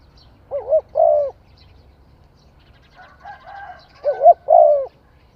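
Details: Spotted dove singing: two low cooing phrases about three and a half seconds apart, each a short wavering note followed by a longer hollow coo, with faint murmuring sounds between them.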